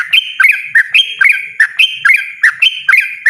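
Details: Yellow-vented bulbul (trucukan) singing in the loud, persistent, continuous ropel style: bubbly, liquid two-part notes that dip and rise sharply, repeated rapidly about every third of a second, with a clean quiet background.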